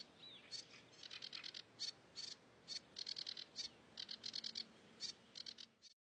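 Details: A wild cigrok sings in the open: fairly faint, high, dry chipping notes in short rapid clusters separated by brief pauses, with a soft low hum and hiss underneath.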